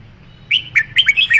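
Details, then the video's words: Bright, warbling song of a red-whiskered bulbul: a run of five or six rapid, slurred whistles rising and falling, sung briskly over faint low-pitched hum. "Tiếng chim chào mào"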